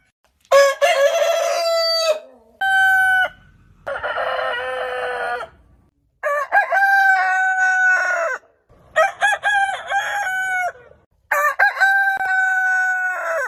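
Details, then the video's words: Repeated rooster crowing in the morning, about six crows over thirteen seconds, each with choppy opening syllables and a long held harmonic note, separated by short silent gaps and some low noise. "Morning Hen Sound & Rooster Sound Effect - Cock Dance Suara Ayam Jago Berkokok"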